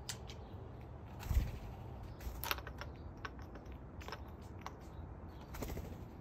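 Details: Low rumbling background with scattered sharp clicks and taps, a louder knock near one and a half seconds; no calls or song.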